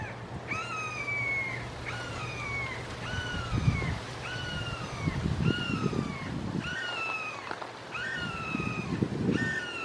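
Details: Three red-shouldered hawks calling long, loud and emphatic in a Florida backyard, filmed with a Canon SX70HS: repeated slurred two-note screams, each dropping in pitch, about one every second, over a low rumbling background.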